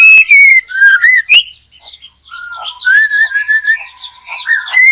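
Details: White-rumped shama singing vigorously in a backyard where birds are being trapped: loud whistled slurs and clicks at the start, then a long flat low whistle under fluttering higher notes.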